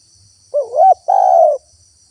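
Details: Spotted dove coo used for luring wild doves and prompting them to call: a rolling, rising opening note then a sustained flat low hoot, one crisp phrase with faint hiss behind.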